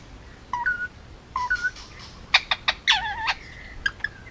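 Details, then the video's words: Indian ringneck male, almost two, hand-raised on Oahu in Hawaii, gives two stepped whistled notes, then a cluster of clicky chirps and a warbling, speech-like phrase, with faint room noise. "Indian ringneck talking and making noises"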